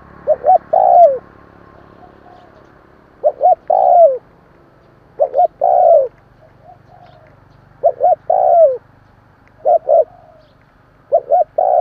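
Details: Spotted dove cooing, meant to stimulate newly caught doves to call quickly: five repeated phrases, each two short clipped notes then a drawn-out falling coo, spaced roughly two to three seconds apart over faint background hiss.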